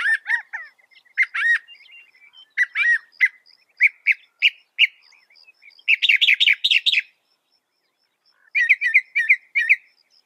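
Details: Varied Northern mockingbird song, known for copying other birds: whistled and sliding notes, scattered chips, a loud rapid chattering burst, then a run of rising looped notes.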